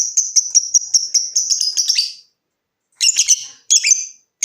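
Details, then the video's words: Lovebird song used as a lure to get other lovebirds trilling: a fast run of sharp high ticking notes for two seconds, then after a pause short bursts of harsh rapid chattering trill. "Suara Burung LOVEBIRD dimulai NGETIK lanjut NGEKEK"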